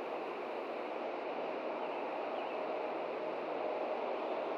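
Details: Steady, even outdoor rush like wind or distant running water fills the whole stretch, with no clear animal voice rising above it.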